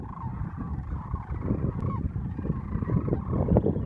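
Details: A flock of Sandhill Cranes at Monte Vista NWR, Colorado, 22 March 2014, fills the air with overlapping rolling, rattling bugles, low and throaty, with no pause in the steady chorus.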